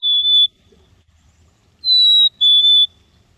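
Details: A Black-capped Chickadee, a common Manitoba winter bird, gives its mating call: three clear, pure whistles, one note, a pause, then a higher note dropping lower, likened to "cheeseburger".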